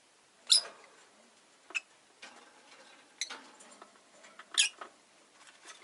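A rosy-faced lovebird gives sharp, shrill chirps in four or five separate bursts over six seconds, with soft scratchy rustling between them in a quiet room.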